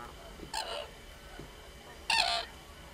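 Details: Common crane giving two loud, harsh trumpeting calls about one and a half seconds apart, the second stronger, with fainter calls in between.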